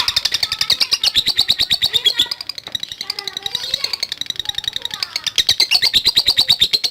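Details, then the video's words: Lovebird ngekek chatter used to provoke other lovebirds: loud, rapid, shrill pulses that dip briefly in the middle under lower chirps and a voice, then return at full strength. "Love Bird NGETIK Latah Gacor Ngekek Panjang"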